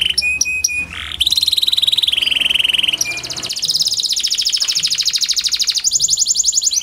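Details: Kenari panda canary song for coaxing silent canaries: short clear whistles, then long sustained rolling trills, steady and buzzy, shifting in pitch across the phrase.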